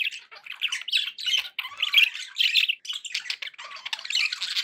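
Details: Indoor pet budgerigars chatter in an unbroken rasping warble, fast chirps and scratchy squawks tumbling together in bursts separated by tiny gaps.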